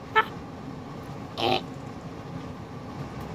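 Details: Red-fronted macaw named Dakota, indoors at night, goofing off instead of going to bed; gives a short, horn-like toot, then a harsh, rasping squawk about a second later over a quiet indoor hum.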